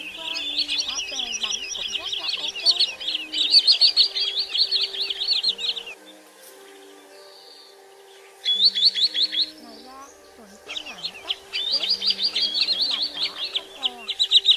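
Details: Common greenshank calls from a 2022 lure recording meant for night netting of migrating birds. Dense rapid volleys of high piping notes in several long bursts, separated by quiet gaps, with a steady background hum.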